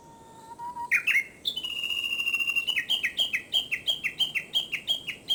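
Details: Japanese bush warbler in early summer: a low whistled note, a rising flourish, then a long rapid series of repeated descending chirps, about three per second, loud and clear.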